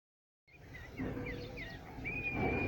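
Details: A crested lark (Galerida cristata) singing in Quetta gives a few short, slurred whistles followed by one long, steady whistled note, over a low rumbling background noise.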